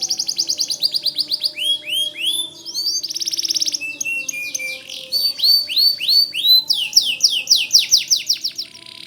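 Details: Vigorous white canary song used to tutor magpie robins: a continuous stream of sweeping downslurred whistles, rolling buzzy trills and bright chip series, very high pitched and varied.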